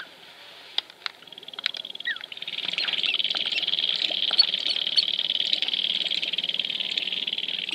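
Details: At Wainwright, Alberta, in 2015, dancing sharp-tailed grouse give a few scattered clicks and a chirp before a high, fast-pulsing buzz swells and continues.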